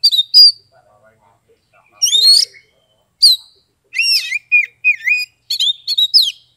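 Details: Oriental magpie-robin song recorded in Kebumen, Central Java, Indonesia, used as therapy for silent birds; loud whistled notes, a rising phrase, then a fast series of dipping, slurred whistles with short gaps.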